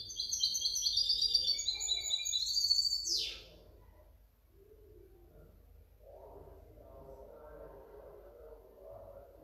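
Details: Goldfinch hybrid, 2019–2020, pours out a quick, high warbling twitter of buzzy and tinkling notes for over three seconds, closing with a swept note; soft low murmurs follow.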